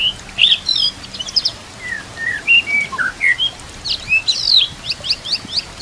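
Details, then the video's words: White-rumped shama training song with kapas tembak and canary phrases: scattered high whistles and short slurred notes, ending in a burst of sharp, very high chips. "MASTERAN MURAI BATU ISIAN KAPAS TEMBAK KENARI CILILIN"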